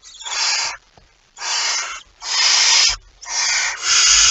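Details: Rasping, breathy screeches from a barn owl at the nest with a mouse, 23 September 2019: about five hissing bursts, the later ones longer and running close together, with faint bumps underneath.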